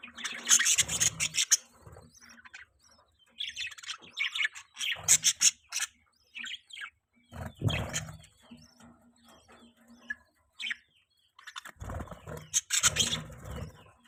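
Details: Budgerigar chirping with loud scratchy chatter bursts, quick warbles and sharp chirps, broken by short quiet gaps and a faint low hum.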